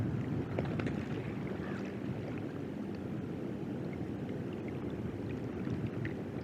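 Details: Steady, heavy wind and water-like rumble fills the whole recording, with no animal calls standing out.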